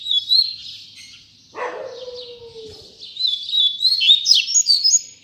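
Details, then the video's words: Double-collared seedeater, a male singing among others: high warbled phrases with quick slurred notes, interrupted by a lower descending whine from another sound. "Coleiro Tui Tui Zel Zel"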